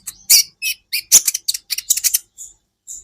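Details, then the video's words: Sunbird training song for cage birds: rapid high, sharp chirps and buzzy trills in quick bursts, short bright notes repeated irregularly with brief gaps. "Masteran buat KOLIBRI Ninja Bahan Agar BUNYI"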